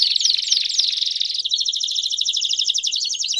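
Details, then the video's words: Belgian canaries in a group chorus: a thick, bright rolling trill with a few quick downward slides early on, shifting to a steady pulsed rattle of rapid notes. "Vários Canários Cantando Junto Estimule seu Canário Belga a Cantar Muito!!!"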